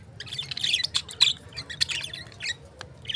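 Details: Lovebirds chirping: a busy run of short, bright squeaky chirps and squawks, closely spaced over a few seconds, with a faint low hum beneath.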